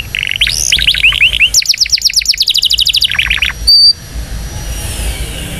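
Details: Powerful Indonesian canary song for training young canaries, with looping warbled notes, a fast run of repeated whistled slurs, a falling trill and one brief bright note before quiet.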